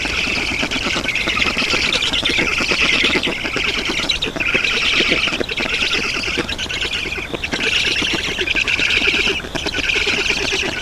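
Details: Black storks calling at their Estonian nest, 7 June 2019 late morning, an adult arriving with water; hoarse, buzzy squawks in long rasping bursts separated by short pauses every few seconds.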